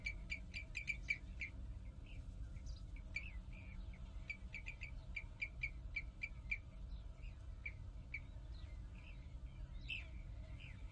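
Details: European bee-eaters at a breeding colony on loess slopes of a former mining area at Kahlenberg near Herbolzheim, Germany, give rolling, liquid 'prruip' calls in quick bursts, several birds overlapping, over a steady low rumble of wind.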